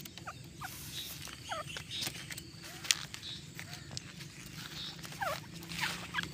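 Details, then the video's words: Grey francolin giving short, harsh, down-curving notes in small bursts every second or so, over a steady low background rumble. "Voice Pheasant Grey Francolin"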